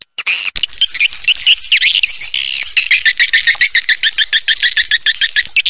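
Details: Swiftlet attraction call for getting birds to stay and nest, opening with a sharp click, then continuous shrill twittering that breaks into fast pulsed chirps repeated about twice a second.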